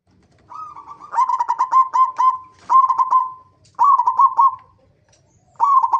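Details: Local zebra dove singing as a lure to set other zebra doves singing: four rolling, trilled coo phrases at a steady mid pitch, each opening with quick clipped notes, separated by short pauses.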